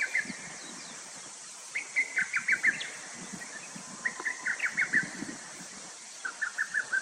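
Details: Lesser cuckoo, a common summer migrant calling tirelessly while concealed in branches, delivers three stuttering phrases of five or six hurried notes each, spaced a couple of seconds apart, above a continuous shrill insect chorus and soft low thumps.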